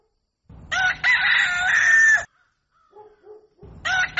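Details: Rooster crowing at dawn: one loud, drawn-out cock-a-doodle-doo of nearly two seconds, a few soft low notes, then the start of another crow.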